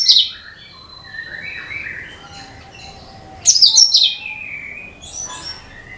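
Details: Cucak kinoi bulbul song, played to lure other birds: an opening sharp burst, soft gliding whistles, then a loud, busy cascade of high notes and a fainter final phrase.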